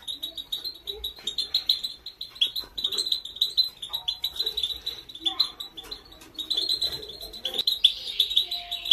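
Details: A training song from a female European goldfinch, used to urge males to sing loudly. Fast, high, chattering twitters run throughout, ending in a denser, buzzier rush of notes.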